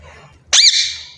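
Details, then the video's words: Pet rose-ringed parakeet indoors giving one loud, harsh squawk that rises sharply and then holds level for about half a second, with quiet room noise before it. "Ringneck parrot talking"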